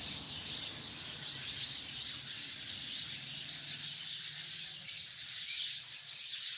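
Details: From a tree holding hundreds of sparrows comes a nonstop, high-pitched chattering chorus, individual chirps blurring into a steady bright hiss of calls.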